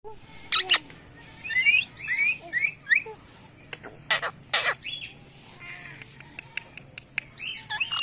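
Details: Indian ringneck parakeet giving loud chirping calls: sharp high chirps and rising whistled notes in scattered bursts, with several short harsh squawks between quieter pauses.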